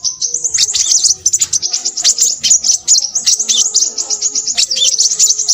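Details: Busy, noisy song of a Crimson sunbird: high, thin, tinkling chatter poured out in fast sequences, with faint low hums in the background.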